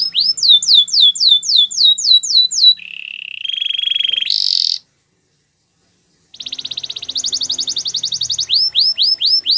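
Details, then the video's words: Canary training song: a string of quick descending whistled sweeps, a low buzzing roll, a brief high burst, about a second and a half of silence, then a fast pulsed trill and more sweeps. "Canary training song"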